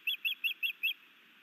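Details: Osprey calling at a Missoula, Montana nest during a new male's sky dance and fish delivery to his mate, May 2019: five clear, evenly spaced high whistled chips within about one second, then quiet.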